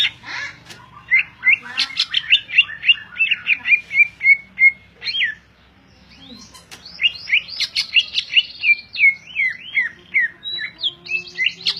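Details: Greater green leafbird song from a caged bird, two long bursts of quick slurred whistles and buzzy chatters, about three notes a second, separated by a brief quiet pause, low hum underneath.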